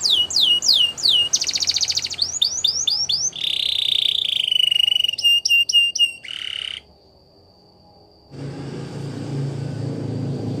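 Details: Belgian canary song used for canary training: fast series of downward-sweeping whistled notes, a buzzy rattling trill, a long steady high tone, then quick descending chirps; after about seven seconds the song stops, leaving near-silence and then low background rumble.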